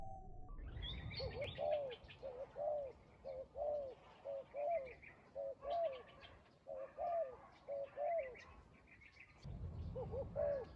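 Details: Spotted dove near a trap, giving low, hollow coos in paired, slightly rising-falling phrases, about a dozen notes repeated roughly every second, with faint higher chirps of other birds behind.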